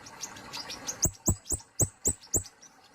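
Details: Soft high twitters lead into six loud, piercing downslurred chips from a plain flowerpecker, roughly four per second, each with a thudding click.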